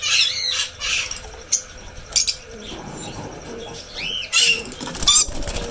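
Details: Red lory, a parrot species, giving rasping squawks and a bowed whistled note, with clattering and fluttering sounds in the background.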